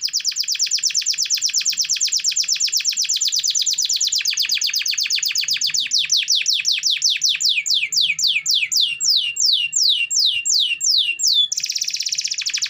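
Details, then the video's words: Canary song used as a lure to prompt reluctant canaries to sing: a long fast trill of rapid sweeping notes, starting as a dense buzzy roll, then slowing into distinct descending sweeps, ending in a harsh buzz. "Pancingan Suara Burung Kenari Gacor"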